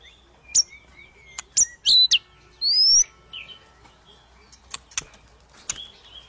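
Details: White-rumped shama song meant to stir a lazy shama to sing: sparse high notes, sharp clicks, a loud rising whistle near the middle and scattered faint chips between longer pauses.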